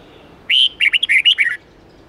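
A red-whiskered bulbul gives a quick, bright warbled phrase of about eight rich, bubbling notes, rising and falling over roughly one second, with a faint background hiss.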